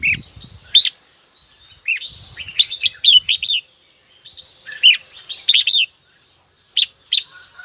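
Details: Caged red-whiskered bulbul singing toward a rival, delivering sharp whistled notes and short rippling phrases at irregular intervals, with some low handling noise early on.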